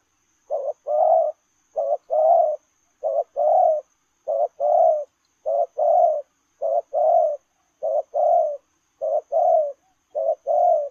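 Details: 'Lèo rồng' coo of a spotted dove while running. Nine low paired phrases, a short lead note and a longer rounded coo, come at an even pace of about one a second, over faint high background hiss.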